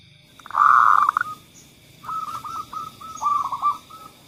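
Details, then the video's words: Zebra dove song used as a lure for doves that rarely sing: a loud burst of fast cooing notes, then a softer run of short, evenly spaced low coos, a second bird seemingly joining near the end. "suara pemancing Perkutut yang Males Bunyi"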